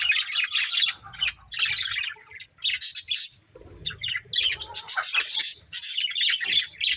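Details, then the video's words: A breeding pair of budgerigars chatters almost without pause, mixing buzzy warbles and harsh squawky notes in rapid bursts, with a soft low rumble in places. "Beautiful Budgies Chirping Sounds"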